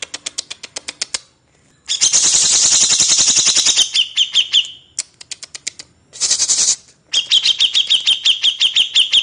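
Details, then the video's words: Grey-cheeked bulbul master song for training cage birds: runs of sharp dry clicking notes alternate with harsh hissing bursts, then quick repeated high notes with a slurred downward twist, several per second. "MASTERAN CUCAK JENGGOT TERBAIK"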